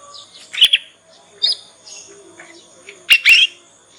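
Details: Young Yorkshire canary learning the ngriwik sound, used as a lure to get other canaries to answer and learn faster; three short bright chirp bursts, a doubled one near the start, a single one mid-clip and a paired one near the end.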